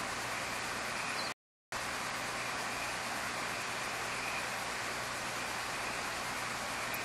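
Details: Steady broadband hiss like rain or traffic fills the recording, with a low hum and a short drop to silence near the start; no animal calls are heard.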